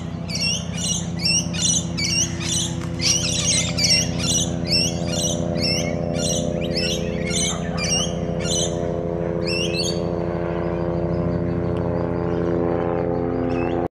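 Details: A pair of long-billed corellas, left behind after their flock departed, gives harsh, screechy cries about twice a second for ten seconds at the Maribyrnong River, then falls quiet over a steady low engine-like hum.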